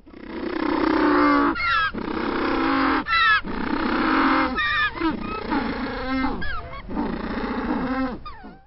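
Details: An African penguin, also called the jackass penguin after this sound, brays like a donkey: long, harsh, honking blasts, each broken by a squeaky, wheezing in-breath, repeating every second or two.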